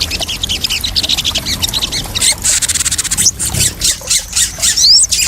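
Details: Crested jay sounds played as a lure and therapy to help newly caught captive crested jays settle without stress: dense, high chattering notes in quick bursts, with a few sharp upslurred squeaks near the end.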